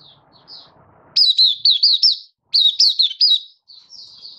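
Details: High-pitched 'buka' song of a Malaysian white-eye recorded in Singapore on a warm, sunny 20 March 2023: two bursts of about five quick looping whistles each, framed by faint softer twitters.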